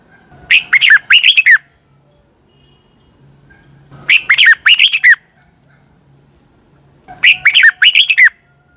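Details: Red-whiskered bulbul, a captive bird used to train others, giving its morning song: three short bursts of warbled, chirping notes about three seconds apart, each near one second long, with quiet pauses between.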